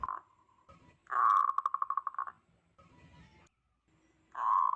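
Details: Strong local zebra dove call, said to make other zebra doves panic: a loud cooing burst dissolving into a rapid pulsed trill, a soft pause with faint background murmur, then another loud coo at the end.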